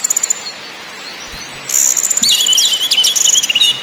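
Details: Orange-headed thrush in ngakrak, ngeplong and nyiul song styles, played as a lure to stimulate birds: near-quiet start with a few faint ticks, then a loud burst of high, fast warbling and chattering trills with sweeping whistles.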